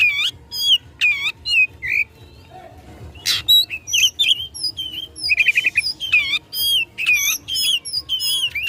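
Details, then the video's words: Fighting Oriental magpie-robin provoking an opponent: varied whistled notes, sweeping slurs, and a rapid buzzy trill near the middle, delivered in a dense, energetic stream. "Kacer Gacor tarung memicu emosi lawan"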